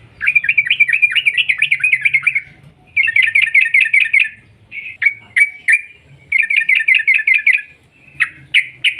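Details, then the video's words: Yellow-vented bulbul in long rolling song, played to make other birds sing: several fast bursts of rapid repeated bright notes, each lasting one to two seconds, with brief sharp notes between them. "TRUCUK Gacor ROPEL PANJANG pancingan trucuk agar BUNYI, jadikan burung trucukan BUNYI ROPEL sketika"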